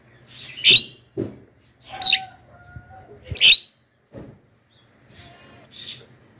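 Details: Javan myna lure screams to call wild mynas: loud harsh squawks repeated roughly every one and a half seconds, separated by soft drawn whistles and quieter chatter.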